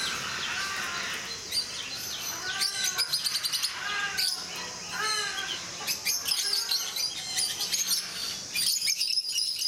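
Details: Rosy-faced (peach-faced) lovebirds kept at Mysore Zoo, India, in a group: dense, overlapping high chirps and sharp tweets, with a few lower arching squeaky notes between two and five seconds and bursts of rapid clicking chatter.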